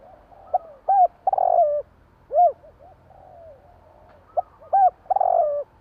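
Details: Javanese spotted dove heard at night giving low, hollow coos. Short hooked notes, a purring trill-like coo and a long falling coo form a phrase, then a second phrase follows.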